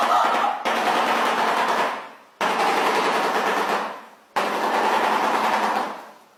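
A shoebill clatters its bill in three loud, machine-gun-like rattles, each lasting about two seconds with brief pauses between.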